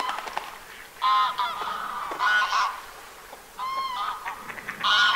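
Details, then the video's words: Gadwall in winter at the Aiguamolls nature park in Catalonia, recorded 24 January 2022: loud nasal, harmonic calls in short bursts of about half a second, given in four groups spaced roughly one second apart, with faint background noise. "CANARD Chipeau/Mareca strepera/Hiver ! BRUITX"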